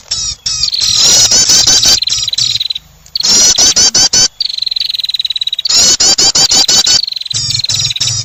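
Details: Prinia call played as a trapping lure: loud, harsh buzzy trills of rapid repeated notes, with long dense bursts broken by short pauses and shorter chattering phrases.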